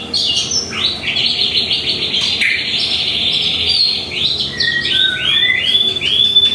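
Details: Morning song of a white-rumped shama kept at home: a loud, continuous, varied warble of rapid chattering phrases that breaks into clear whistled slurs and descending notes toward the end.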